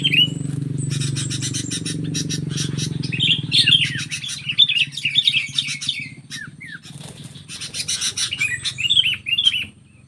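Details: Sooty-headed bulbul up against a stubborn wild bulbul: scattered bright chirps and short rising-falling notes among rapid clicking, with a low hum fading after four seconds.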